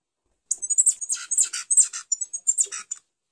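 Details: Red pileated finch, called tico-tico-rei, singing a lot: a fast, high, thin burst of chirps and short whistled notes lasting about two and a half seconds, densely packed with a few brief pauses, with no other clear sounds.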